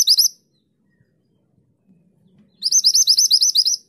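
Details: Mantenan gunung singing busily in the 'tulit tulit' style, recorded as a master for training songbirds: bursts of fast, ringing rising notes about eleven per second, high-pitched and clear, separated by a quiet pause.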